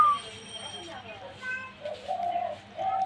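A dove gives low, soft hollow coos in the second half, with a thin whistle-like note and faint voices in the background.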